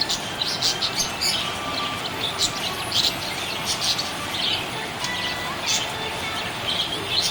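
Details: Happy budgerigar chirping: a steady stream of short, high, scratchy chirps and twitters, several per second, over a constant hiss with faint music in the background.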